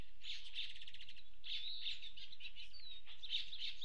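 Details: Two male Lucifer hummingbirds at a feeder cam in the mountains outside Fort Davis, West Texas, above 5800 feet, on 3 September 2019, give rapid, thin, high chips and twitters in quick bursts over a low background rumble.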